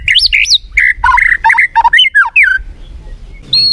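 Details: White-rumped shama (murai batu) song used to make a sluggish bird more of a fighter: bright, high whistled notes, then a dense jumble of scratchy and slurred phrases, a brief pause, and one final high whistle.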